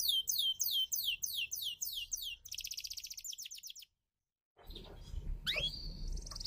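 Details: Canary of the F1YS type, singing energetically, used as a lure to prompt non-singing canaries to sing: repeated high downslurred whistles, then a fast buzzy trill, a short silence, and rising sweeps over low background noise.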